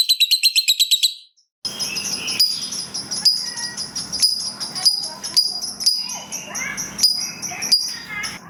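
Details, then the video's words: ['Ngekek singing from a lovebird: a quick pulsed trill opens, followed after a pause by a continuous mix of high chirps and squeaks against a noisy background.'] "Pancingan Burung Lovebird Ngetik Bikin Gacor Ngekek Panjang !! Lovebird Lain Langsung Nyaut Gacor"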